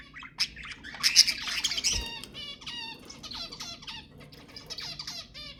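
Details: Budgerigar chatter meant to stimulate mating: a loud squawky burst, then a rambling warble of sliding whistles and short chirps.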